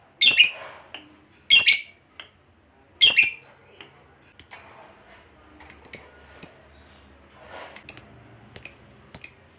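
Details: Lovebird, a fighter-type bird kept by hobbyists, recorded as a lure to set other lovebirds singing; harsh, broadband squawks about every one and a half seconds, then thin, high chirps in short pairs.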